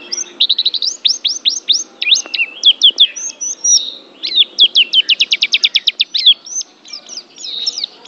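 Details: White-eye (pleci) singing a rapid, high chirping song of steeply falling and rising notes, delivered in quick runs with a fast trilled series in the middle and short twittered phrases near the end.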